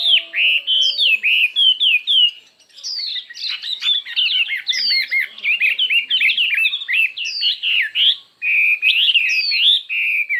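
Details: Chinese hwamei in a many-voiced, fiery singing contest: a long, fast, near-continuous outpouring of bright twisting whistles and slurs, with brief pauses and occasional sharp high downslurred notes.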